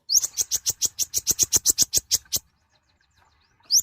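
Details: Small sunbird called konin rattles off roughly fifteen sharp high notes in a quick, even series over two seconds, then falls quiet before one more rising chirp.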